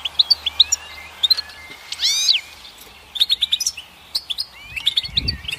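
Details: Goldfinch giving scattered high chirps and short twittering phrases with buzzy, downslurred sweeps, separated by gaps, plus a brief low rustle near the end.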